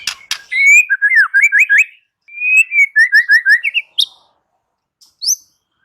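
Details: Song of a white-rumped shama, built from rich whistled phrases: quick runs of slurred up-and-down notes in two bursts separated by a short pause, ending with a few high sharp chips.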